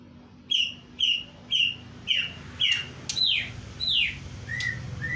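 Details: Greater green leafbird imitating a kingfisher with a steady series of loud, clear whistled notes about every half second, each dipping slightly in pitch. The later notes become sharper, falling slurs, over faint low hum and rumble.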